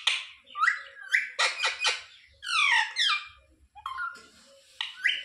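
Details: Pet parakeet indoors, said to talk "sita ram", gives a string of raspy squawks and buzzy, speech-like syllables, some in quick rattling bursts, with short gaps between them.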